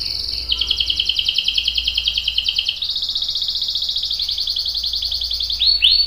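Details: Canary rolling song for tutoring young and adult canaries: an unbroken rapid trill that steps between pitches twice, closing with two quick downslurred notes over a faint low hum.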